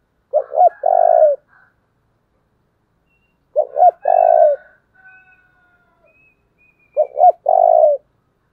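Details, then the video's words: Spotted dove used as a decoy to stir up wild birds. It repeats its cooing phrase three times, roughly every three seconds: a brisk double coo, then a long trembling low note, with faint high chirps between. "Cu mồi thúc vầy chịu gì nổi"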